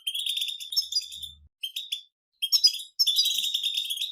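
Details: Collective batbata chattering of European goldfinches from nature, played for silent goldfinches: bright, high twittering phrases, two brief silences, then a thick stretch of overlapping chatter at the close.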